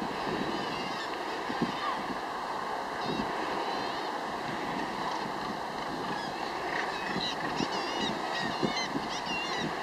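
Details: A dense, unbroken din of harsh, grating calls from many Northern Gannets at once at the Troup Head breeding colony, UK, with wind and the wash of the sea underneath.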